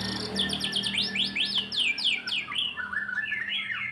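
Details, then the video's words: White-rumped shama after moulting, song used to build its fighting mood: fast series of rising sweeping whistles repeated several times a second, then lower warbled phrases, over a steady low hum. "Meningkatkan secara bertahap emosi dan fighter Murai Batu stlh mabung"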